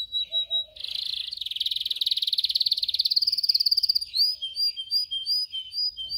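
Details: Training song of a canary: a brief whistle, then a long, fast buzzy trill of rapid pulses lasting about three seconds, followed by quick, clear whistled notes repeated in a brisk series.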